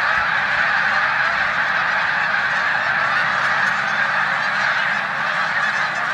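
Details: Migrating snow geese in a New York corn field in mid-March 2020, mixed with resident Canada geese; a steady, loud wall of countless overlapping nasal honks with no pauses.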